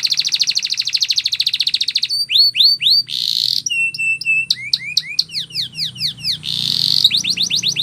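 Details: Canary training song with a fast rolled trill, then varied whistled slurs and short buzzy rolls. It ends in a quick run of rising, sweeping notes.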